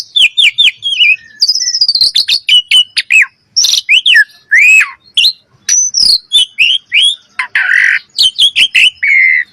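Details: Common myna delivering a rapid chatter of clicks, downslurred whistles, gurgling notes and harsh rasps over about nine seconds.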